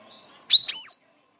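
A Black-throated Canary gives one quick burst of high, bright whistled notes that slide up and down in about half a second; faint hiss precedes it.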